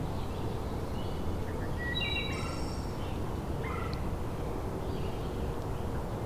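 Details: Wood Thrush, one of a couple of territorial males, singing in old forest with tulip trees and hemlock at McMaster Forest, Hamilton, Ontario, in June: two faint flute-like phrases, the first ending in a high shimmering trill, over wind.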